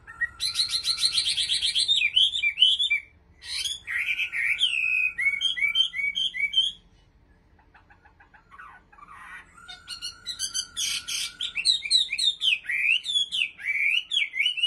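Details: Chinese hwamei (Garrulax canorus) from Bình Định, Vietnam, singing loud, rich phrases of rapid slurred whistles and rising-falling notes, with a brief quiet pause midway before the varied song resumes.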